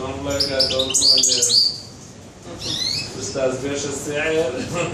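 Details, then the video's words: European goldfinch singing in a bird shop on 21 June 2015: bright, high tinkling twitters and quick rising notes in bursts, with lower harmonic sounds and background chatter in between. "تغريد الحسون"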